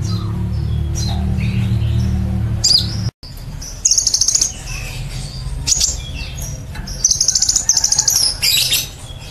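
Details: Kept sunbird (kolibri ninja) singing in the nembak cililin style: sharp high chirps and buzzy trilled bursts, briefly cut off mid-phrase, over a low steady hum.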